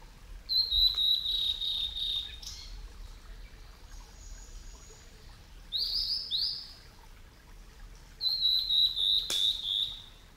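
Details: Male blue-and-white flycatcher, a summer visitor, singing at Yamada Ryokuchi, Kitakyushu, Japan: three high, clear whistled phrases a few seconds apart, each trailing into quick thin notes, over a faint steady hiss.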